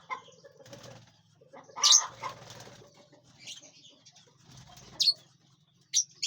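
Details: Lovebirds eating and flying inside a large aviary give a few shrill, clipped chirps spaced several seconds apart, while wing flutters, rustling and low hum fill the gaps.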